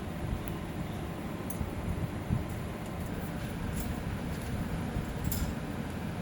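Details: Low rumbling vehicle and wind noise with a few faint clicks runs throughout, and no animal voices can be picked out.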